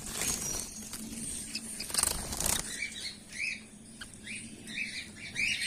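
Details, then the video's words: Female (lady) golden finch in a golden finch colony giving short, arched chirps in quick succession during the second half, after a stretch of rustling and wing flutter. "golden finch bird | lady golden finch"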